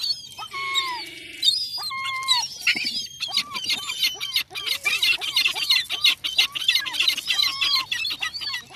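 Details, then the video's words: Several seagulls call along the seafront on a cold Sunday afternoon. Bent, wailing cries come first, then a dense, busy stretch of quick overlapping calls mixed with clicking noises. "Seafront seagulls this Sunday"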